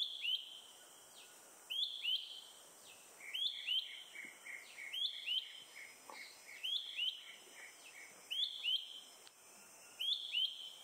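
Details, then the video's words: Malaysian hawk-cuckoo (Hierococcyx fugax) in Selangor, Malaysia, April 2021, calling nonstop from a high perch on a morning after eating a caterpillar, gives song and alarm calls: shrill, high two-note whistles in pairs every couple of seconds over a steady insect hum. "calling loud... Malaysian Hawk-Cuckoo"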